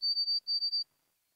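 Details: White-throated sparrow, its call likened to the mockingjay signal from The Hunger Games but without the drop to a final note; a pure, high, steady whistle broken into three short segments, a brief pause, then three more, over a silent background.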